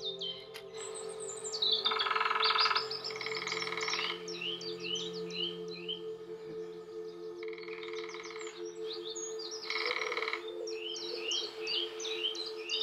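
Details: Female lesser spotted woodpecker, one of a calling and drumming pair in Nottinghamshire woodland, UK, drums in four rapid, even rolls of about a second or less. Bright chirping songbirds call throughout and fill the gaps between rolls.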